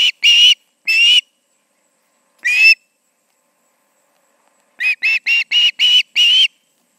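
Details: Two ospreys on the Charlo nest on a 2019 summer evening: three separate drawn-out whistles, a long silence, then a rapid string of seven short shrill chirps.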